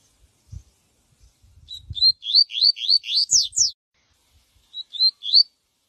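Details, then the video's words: Viviti-style song of a yellow-bellied seedeater, used for tutoring young birds: a fast run of about eight upslurred whistled notes climbing in pitch, then a shorter group of three; soft low thumps beneath. "coleiro baiano canto viviti pra encarte"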